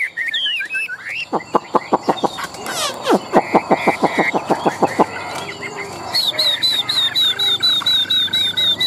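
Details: Caged Chinese hwamei, a tame large-bodied competition singer, in Vietnam; opens with whistled phrases, then a fast series of sharp downward-sweeping clicks about six per second, ending with rapid repeated high whistled notes.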